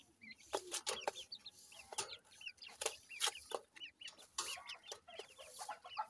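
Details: Dakhni teetar, a francolin, with male and female voices compared: short hooked chirps, rising then falling, repeat rapidly and overlap, mixed with sharp clicks and knocks throughout.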